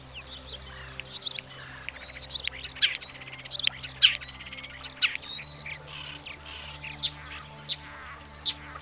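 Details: European Starling singing in mating season to impress potential partners: a varied medley of sharp clicks, ringing harmonic notes and thin slurred whistles in bursts, with a faint steady low hum beneath.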